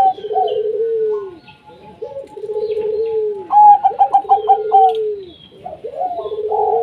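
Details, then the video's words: Zebra dove of local wild origin giving lure song to start other doves singing: a sustained tone, a pulsed stuttering trill and long low falling purred coos, repeated, with faint background twitters. "Perkutut Lokal Gacor 100% JITU Ajak Perkutut Malas Bunyi"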